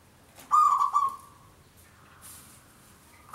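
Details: Local zebra dove, a lively singer, giving its long song, used as a lure for bird trapping: a short burst of rapid, stuttering coos that runs into a long, level, fading tone, then a brief new onset at the end.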